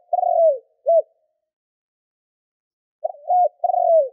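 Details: Lure spotted dove used to attract other doves, giving two bursts of low cooing three seconds apart, each a drawn-out falling coo paired with a short clipped note, clear against a silent background.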